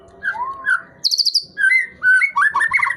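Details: White-rumped shama still flicking its tail and in full voice, giving a rich, varied phrase: low rising whistles, a quick burst of high, trilled notes, then tumbling warbled notes that climb toward the end.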